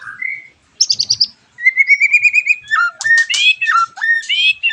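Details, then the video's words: Lure song of white-rumped shama meant to prompt other shamas to answer: a short whistle, a buzzy rattle, then a fast repeated rising series followed by rich varied whistled phrases with sharp upsweeps. "MURAI BATU GACORAN PANCINGAN MURAI BATU OMBYOKAN ABRAGAN AGAR IKUT NYAUT GACOR"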